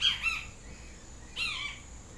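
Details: Great kiskadee with a yellow crest, two brief harsh, buzzy call fragments over a second apart, with light background hiss.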